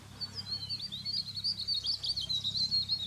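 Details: White-throated laughingthrush (Garrulax albogularis) at Chopta, Uttarakhand, India, in May 2016, giving a dense, rapid chatter of high, squeaky notes, three or four a second, in a steady overlapping stream over a faint low hum.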